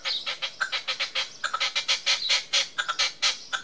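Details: Loud, rhythmic chuffing from a red-legged partridge in display on a wall in Tresco Abbey Gardens, Isles of Scilly, with harsh grating notes pouring out in a steady rapid stream.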